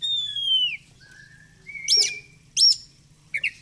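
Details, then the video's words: Oriental magpie-robin, a kept songbird, singing: a long clear descending whistle, then a low flat whistle and two sharp upswept notes, with a steady low hum beneath. "Kacer gacor fighter"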